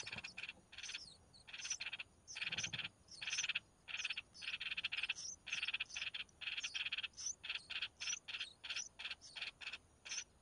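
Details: Mother red-whiskered bulbul feeding her chicks amid a steady run of short, grating, pulsed begging rasps, roughly two to three per second, with high thin whistles between.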